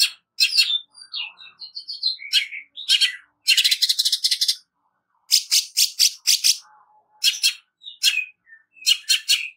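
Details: Greater green leafbird, harsh rapid training song: rattling bursts of dry notes interleaved with clear whistled phrases, a short silent gap midway, then more grouped harsh notes and whistles.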